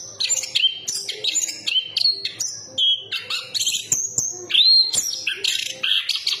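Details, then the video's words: Chestnut-capped thrush delivering rich, loud, continuous song of shifting whistled notes, some pure and sustained, others buzzy and rapid, switching pitch almost every half second. "Burung Anis kembang berkicau"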